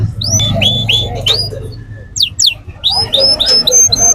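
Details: Canary at the Quetta Sunday Bird Market giving repeated upslurred whistled notes and a few sharp descending chips, over steady low market noise.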